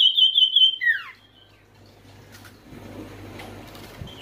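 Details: Oriental white-eye lure call for prompting quiet birds to sing: a brief high trill and a falling slurred note, then faint rustling and low background noise.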